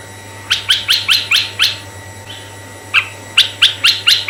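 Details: Red-eyed bulbul voice for luring other bulbuls: six quick harsh rising chirps, a short gap with one faint note, then another run of six, all above a low continuous hum.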